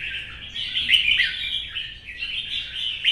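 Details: Caged red-whiskered bulbul, an older wild-caught bird, singing in competition style in the morning sun; dense, continuous chattering warble of quick rising and falling notes with no clear pauses.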